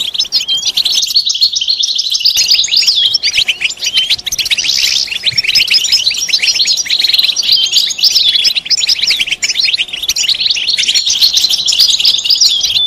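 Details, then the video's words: European goldfinch mating and readiness calls, bitbita and sitsita style, used to make a silent male sing: a long, unbroken run of bright, liquid twitters and quick warbled trills, busy and high-pitched throughout. "بتبتة فعالة و ستستة فتاكة رهيبة في علاج صمت الحسون"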